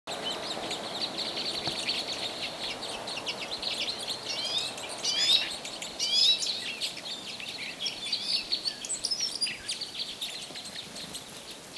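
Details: Wild red crossbills, possibly Type 3, in Bayfield County on 9 March 2018: several birds give sharp, high, clipped chip notes, overlapping and irregular, loudest near the middle, over a steady hiss of background noise.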